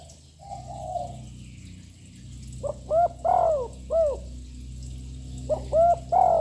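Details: Young loud-voiced spotted dove cooing continuously to provoke other birds; soft low coos in two bursts of four to five rounded notes, with a steady low background hum.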